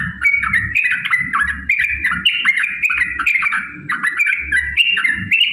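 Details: Yellow-vented bulbul in long fighting song used as a lure to provoke rivals: dense continuous bubbling whistled phrases rising and dipping, with hardly a pause, over steady low background noise.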